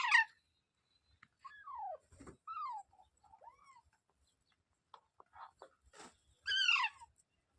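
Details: Parrot calling: a harsh harmonic squawk, then several clear downward-sliding whistled notes and short chirps spaced through the recording, ending with a loud rasping call.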